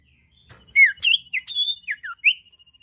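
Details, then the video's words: Lively sirtu bird song to prompt other birds to sing: a fast string of loud, varied whistled notes, some sliding downward and some rising, over a faint steady high tone. "sirpu gacor cocok pancing bunyi burung ombyokan"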